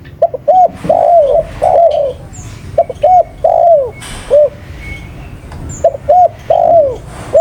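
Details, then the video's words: Spotted dove giving repeated phrases of quick paired coos ending in a longer, downward-curving drawn note, about three phrases in seven seconds, with scattered high chirps from other birds. "Burung Tekukur Paling Gacor"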